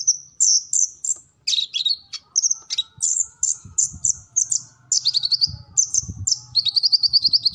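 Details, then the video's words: Kolibri ninja sunbird singing full-repertoire training material for captive birds: rapid series of piercing high chips and twittering notes, ending in a fast, even high-pitched trill. "Kolibri Ninja Gacor Full Materi"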